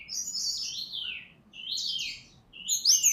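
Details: White-rumped shama of Bengkulu, Sumatra origin, singing loud sweeping whistled phrases that slide down from high pitch, three phrases with short pauses, ending in sharp high flourishes; quiet room hum behind.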